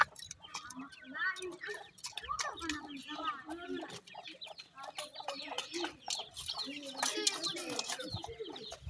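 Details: Francolin baby chicks exploring and playing, giving short fowl-like clucks and quick chirps in irregular bursts, with human voices talking throughout.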